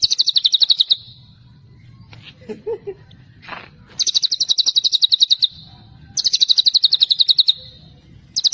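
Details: White-rumped shama repeating a celilin-type trill: rapid bright high pulses in runs of about a second, with a brief low murmur and faint notes in one pause, and a low hum throughout.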